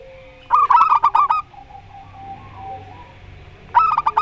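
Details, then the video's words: Local zebra dove singing in the Rondo Semoyo style: a burst of rapid, staccato, bubbling coo notes lasting under a second, a pause with faint soft sounds, then the phrase starting again. "Perkutut Lokal Rondo Semoyo VS Perkutut Suara Aneh"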